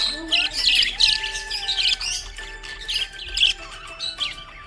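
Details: Happy budgerigar twittering in quick, bright bursts of squeaky warbled notes, pausing briefly before resuming, accompanied by faint steady musical tones.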